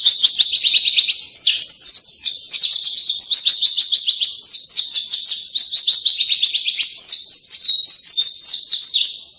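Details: Canary-like loud song of a white-eye: a sustained, unbroken stream of rapid high trills and repeated downward-slurred chirps, phrases shifting every second or two, strong and steady throughout.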